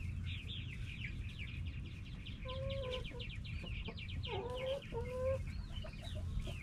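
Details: Backyard hens and roosters making a lot of soft, relaxed noise; many quick high clucks and chirps run throughout, with a few drawn-out level calls in the middle and a low background hum.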